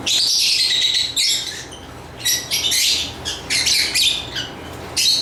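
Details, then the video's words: Lovebird chirping: a loud rasping chatter opening, then separate shrill chirps and short squeaky bursts spaced under a second apart, over a soft constant hum. "Lovebird Chirping Sounds"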